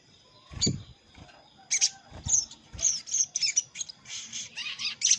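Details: Trapping lure of a crimson sunbird challenging a rival: a few scattered high chirps with soft low thumps, then a quickening series of bright, squeaky notes packed closely together toward the end.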